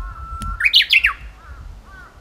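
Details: Japanese bush warbler heralding spring, seen in song: a short level whistle leads straight into a loud, tumbling run of clear notes climbing and dropping, followed by soft fading whistles.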